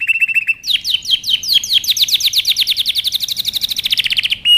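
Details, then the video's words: Canary singing a training song: a quick level trill opens, then a long, fast series of descending whistled sweeps that speed up into a dense, rolling phrase before a short final trill. "canary training song"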